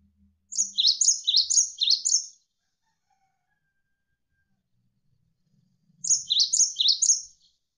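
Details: Energetic Javan sparrow tutor recording: a run of five quick, high, sharply descending chirps, a long pause, then four more in the same rapid rhythm; nearly silent background.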